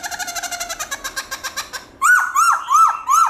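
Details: Black-throated laughingthrush singing a wild-type song of many voices: a fast run of short harmonic notes about six per second, then loud, clear whistled notes that rise and fall, repeated roughly every third of a second.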